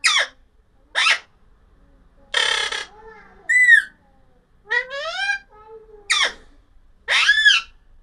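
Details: Alexandrine parakeet producing a varied run of calls over eight seconds: short sharp squawks, a raspy hissing burst, arched whistled notes, and rising wails, with brief softer tones in between.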